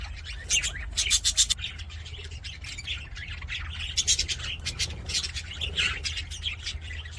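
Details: Aviary budgerigars singing and playing, giving clusters of harsh, rasping chirps and squawky notes in irregular bursts, several birds overlapping, over a low droning hum.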